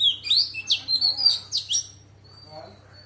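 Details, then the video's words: Female Oriental magpie-robin singing in a wild-type voice meant to stimulate males: a rapid run of clear, slurred whistles and sharp upswept notes over about two seconds, then near silence with one thin high whistle; steady low hum underneath. "Choè than mái hót giọng rừng kích trống căng đét"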